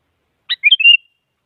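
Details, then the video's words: Sooty-headed bulbul singing to provoke a rival so a silent bird will sing: a rasping opening chirp, then a rolling, bubbly string of whistled notes ending on a steady, slightly wavering whistle. "Suara Burung Kutilang Mengajak Lawan Agar Bunyi Bikin Kutilang Diam Semangat Berbunyi"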